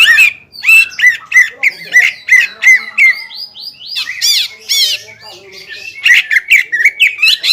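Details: Caged greater green leafbird singing loudly to provoke a rival's aggression, a rich run of clear whistled and chattering notes around mid-high pitch, with rapid repeated squawky phrases and slurred upward sweeps.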